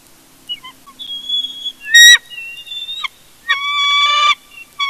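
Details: Bald eagles in a family conflict at the Big Bear nest, recorded by a live nest cam: loud, harsh, harmonic-rich squealing calls mixed with high whistled notes, and a burst of rustling noise near the middle.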